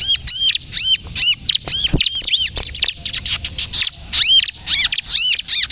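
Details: Bar-winged prinia in energetic kejepit-style song, used to lure birds and prompt untrained prinias to sing: rapid series of high, arched chirps, often paired with strong overtones, in quick bursts with brief gaps, over low background rumble.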